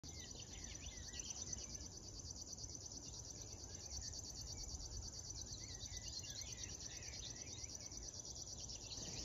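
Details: River warbler singing on a June 2022 morning near Tynaarlo, the Netherlands, along the Drentse Aa: a continuous, rapidly pulsed, insect-like high buzz without pause, with softer whistled phrases of other birds underneath and low rumbling background.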